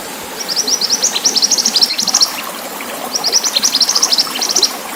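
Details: Pied bushchat singing strongly over a water sound on a training recording for cage birds: two long, rapid chattering phrases of high, sharp notes, each lasting about two seconds, with a soft rushing-water background.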